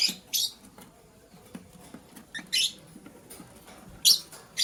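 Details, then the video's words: A green lovebird chirping in the morning as a blue lovebird scrambles for vegetables; loud, harsh, shrill chirps burst out repeatedly, about five in under five seconds, with quiet pattering and pecking between them. "Green LoveBird Chirping Sound"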